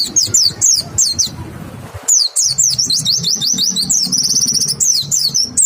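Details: White-eye song used as a lure to get other white-eyes singing: clear high chirps and rapid descending twittered notes in quick bursts, with a short quiet gap partway and a low thumping background.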